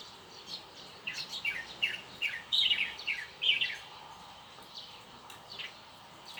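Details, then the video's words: Rapid series of sharp, high descending chirps, roughly one per half second, building louder in the middle and then fading to scattered softer notes against light ambient noise. "홀리는 새소리"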